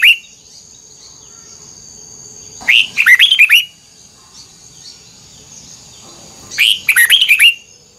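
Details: An old wild-caught red-whiskered bulbul sings its twisted double-note song for voice training, two quick phrases about four seconds apart, each opening with an upward swoop and tumbling into jerky whistled notes; faint low rustle and a steady high tone persist.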